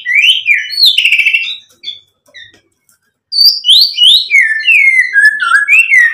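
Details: White-rumped shama song meant to provoke a reply: rich, slurred whistled phrases, a quiet gap, then a rapid sequence of descending and rising whistles.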